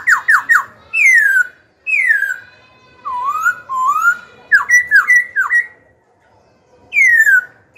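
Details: Young black-throated laughingthrush, a caged songbird indoors, singing to stir rival birds into fighting and to train young birds: loud ringing whistles, a quick run of falling notes, long down-slurred and rising phrases, then silent pauses.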